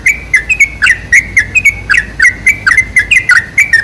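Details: Sooty-headed bulbul singing, recorded for luring other bulbuls: lively run of short, liquid whistled notes, some rising and some falling, packed closely together with brief gaps, busy and cheerful throughout.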